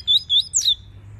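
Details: Captive double-collared seedeater (Sporophila caerulescens), song meant for training young birds and stimulating females: three quick, clear whistled notes, the last starting with a sharp high flick, about three-quarters of a second, then quiet.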